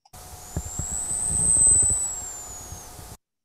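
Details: A perched male Costa's hummingbird's vocal song: a single thin, very high whistle drawn out for nearly three seconds, rising slightly then sagging, over low rumble and a faint steady hum. It is very similar to his dive sound.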